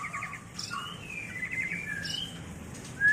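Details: White-rumped shama mating song used for training and luring birds: varied whistled phrases, rapid trilled notes near mid pitch, slurred rising whistles and a bright upslurred note at the end.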